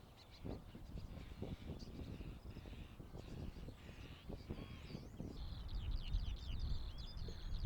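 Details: Fledgling common starlings that have left the nest, on Coll or Tiree in the Inner Hebrides, Scotland, in May, give harsh, raspy begging calls to parents, repeated often, with squeaky chatter near the end, over strong wind rumble.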